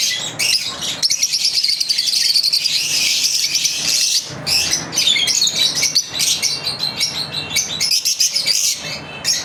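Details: Lovebirds in their daily routine give continuous high chatter, grating trilled phrases and sharp chirps overlapping, with a short lull near four seconds.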